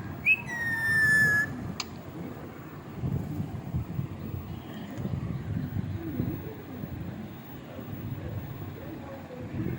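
A pet ringneck parakeet gives one clear, slightly falling whistle lasting about a second, then traffic rumble and background noise fill the rest.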